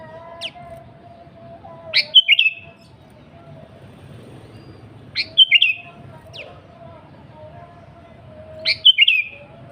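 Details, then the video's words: Sooty-headed bulbul singing lustily, a pure lure recording for wild and kept bulbuls. Three short chattering phrases of sharp falling chirps come roughly three and a half seconds apart. Brief high ticks and a faint thin background whistle are also heard. "Suara Burung KUTILANG GACOR AsliTanpa ISIAN 100% Ampuh Untuk Pancingan Kutilang Bahan."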